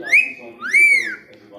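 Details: Talking rose-ringed (ringneck) parakeet giving two loud whistled notes, the first rising sharply then held, the second arching up and falling back, with strong bright overtones and a faint hum in the background.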